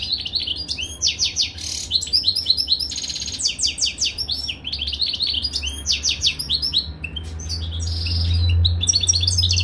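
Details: Caged European goldfinches during mating give a fast, jangling twitter of bright, buzzy trills and liquid chirps, phrases broken by short pauses, with a low hum underneath.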